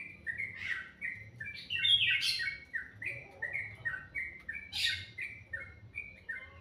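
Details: Sweet morning birdsong made of repeated chirped whistles, about three per second, punctuated by two loud, harsh high bursts.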